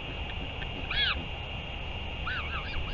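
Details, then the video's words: Northern royal albatross, 31 May 2023, at a return and feeding; one louder arched call is followed by a quick run of four softer curved notes, over continuous hum and low rumble. "Northern royal albatross 31 05 2023 4 ~ L return & feeding"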